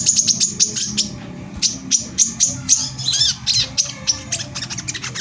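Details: Brown-throated sunbird (kolibri kelapa) singing in the close-fired 'tembakan rapat' manner meant to provoke rival sunbirds; sharp high chips in uneven bursts, a short twittering flourish, faint low hum beneath.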